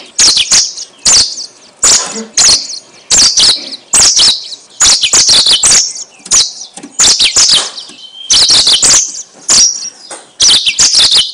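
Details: Yellow-fronted canary singing, used as a lure to attract birds: a string of short, high chirpy phrases, each about half a second long, repeated in quick succession with small gaps and a few sliding whistles.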